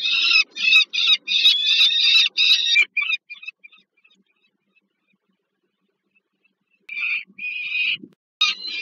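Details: Peregrine falcon at a Warsaw nest site, Żerań heat plant, Poland, mid-August 2022, around a food delivery. A fast burst of hoarse, buzzy wails stops after three seconds, then a quiet pause, then a few louder rasping cries return.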